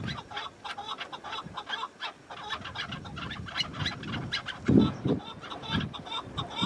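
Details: Wild chukar partridge calls on a spring mountainside with lingering snow: pulsed, chuckling notes repeated quickly, with gusty wind roaring throughout and a louder low thump midway.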